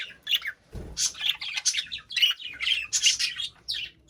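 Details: Budgerigar in a cage giving a busy stream of bright chirps and buzzy warbles, almost continuous, after a short low knock near the start.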